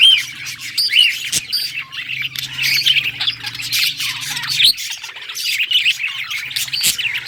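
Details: Cheerful budgie chatter: overlapping chirps, squawky notes and quick warbled phrases, steady throughout, accompanied by a low droning hum that stops partway through.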